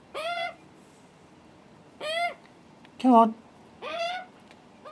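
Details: Begging juveniles of the Australian magpie, loud and hungry, at their first visit with a wary adult male. Shrill, down-curving screeches come every couple of seconds, one broken by a lower, rougher call.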